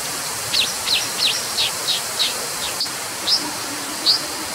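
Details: Brown dipper giving a quick run of about seven sharp, high, downslurred notes, roughly three per second, followed by two more spaced, slightly longer high notes, all over a constant loud hiss of background noise.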